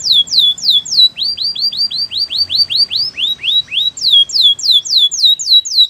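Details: Training song of a canary: quick repeated down-slurred whistles, then a lower run of curving notes that climbs in pitch, then high swooping notes again, all in a fast, even rhythm.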